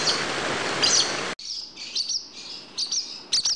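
A swallow gives quick, high twittering chirps in short bursts, coming after about a second of loud hiss at the start.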